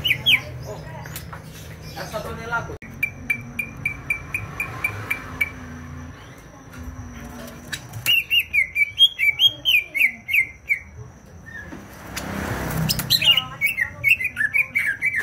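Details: Greater green leafbird from Banyuwangi singing vigorously: after a quiet start with scattered clicks and thin tones comes a rapid burst of bright, slurred whistles, then a brief noisy rustle and more quick whistled notes.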